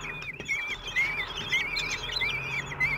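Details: At a Common kestrel nest in France, four chicks aged 16 days are fed by their father on June 26, 2023: continuous thin, wavering whining calls that rise and fall, several voices overlapping.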